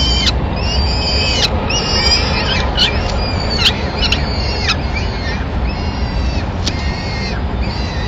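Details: Peregrine falcons in Madrid, 25 April 2016, with a female bringing a pigeon and feeding chicks after the guarding male leaves. Clear, ringing arched cries are spaced about a second apart, each with strong overtones, over a low rumble.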